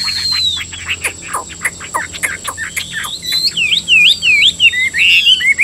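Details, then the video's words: Chinese hwamei, a caged songbird in Vietnam, opens with rapid sharp downward chips, then switches to fast rolling zigzag whistles rising and falling in quick succession, over a constant high hum. "Họa mi hót hay"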